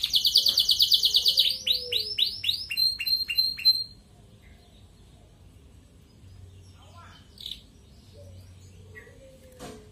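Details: Ngerek-style song of a red canary, used to stimulate breeding among colony-kept canaries: a dense rapid trill, then a string of descending sweeping notes that slow and fade, followed by near silence with a few faint chirps.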